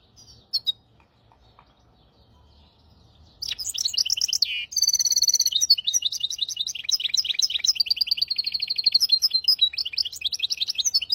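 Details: Hybrid finch singing a tutoring song for goldfinches and canaries: a faint chirp, a pause, then a loud outburst of buzzy notes, a sustained ringing trill, and fast rhythmic twittering phrases to the end.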